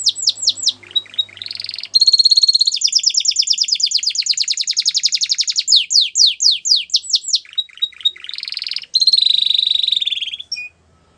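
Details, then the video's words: Canary song made of changing tours: quick falling whistles, a long rapid buzzy trill, bursts of clipped repeated notes, then a high rolling trill ending in a short chip. "Your Canary Is Quiet ? Will Sing Again After Listening To This"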